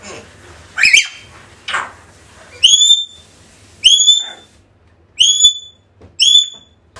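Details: An African grey parrot, in a recording meant to call back a lost bird, gives two rough, rasping notes, then four loud, clear whistles about a second apart, each short and sharp with a quick pitch bend.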